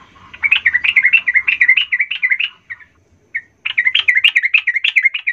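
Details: Sooty-headed bulbul song played to provoke rival birds: two long bursts of fast, bouncing, chirpy notes separated by a brief pause with a couple of single chips.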